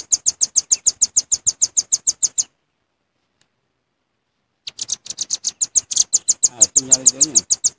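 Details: Velvet-fronted nuthatch lure recording with a long, fast series of sharp, high chip notes. A silent gap of about two seconds follows, then the rapid chipping resumes more densely, over a faint lower wavering sound.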